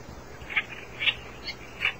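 Oriental reed warbler giving four short, harsh, chacking notes about half a second apart over a soft background hiss.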